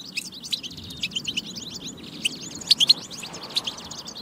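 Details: European goldfinch batba song used to motivate singing; steady soft twittering with a few loud clear chirps near two and three-quarter seconds.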